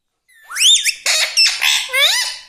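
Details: Talking pet parrot (tota) producing a loud rapid string of five raspy, harmonic speech-like syllables, some sliding upward and others dipping, mimicking words such as mitthu mitthu.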